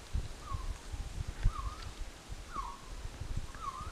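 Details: A resplendent quetzal in the Altos de Chiapas gives four soft, mellow whistled notes, each slightly rising and wavering, about one per second, over low rustling and wind.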